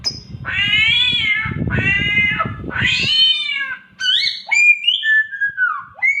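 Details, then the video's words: Samyong bird imitating a cat's mating call: three long, harmonic, wavering meow-like wails, followed by sharp whistled notes and falling slurred whistles. "SAMYONG MENIRUKAN SUARA KUCING KAWIN"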